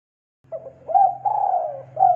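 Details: Spotted dove song played to train young birds to sing: a short cooing note, then a rising note and a long wavering coo at steady pitch, with a low steady hum underneath.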